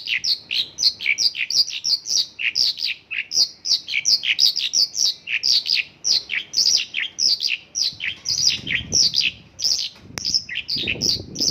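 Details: Mongolian lark pouring out an extended isian lokalan song of local bird phrases: dense rapid chirps and whistles, steady and unbroken, with low background knocking near the end.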